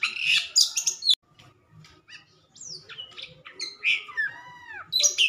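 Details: White-rumped shama kept in a cage, singing once its cover is taken off: harsh scratchy bursts, then a quieter passage of varied chips and a rising whistle, followed by downward-sliding whistled notes and another loud rasping burst.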